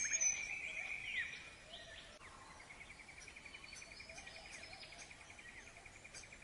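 Australian king-parrot giving a loud, high whistled call for about a second, followed by a steady run of quick, fainter piping notes over soft background noise.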